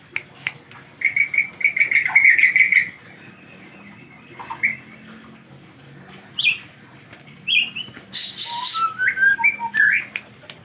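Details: White-rumped shama during the rainy season, hard to get bathing, opens with a long trilled whistle, then scattered sweeping notes and quick twittering phrases after a loud rustling burst.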